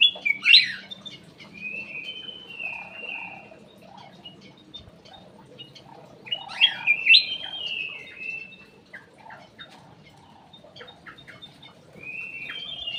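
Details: Ruby-throated bulbul song for luring birds: clear whistled phrases of sharp upslurred notes followed by level, slightly falling whistles, repeated about every six seconds, with short chirps between phrases and a faint steady hum behind.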